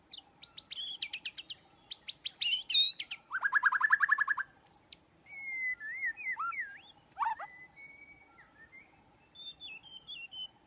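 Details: White-rumped shama song played as a trapping lure: rapid bursts of sharp buzzy repeated notes, a fast trill, then varied clear whistles that slide up and down, some faint, over a low steady hum.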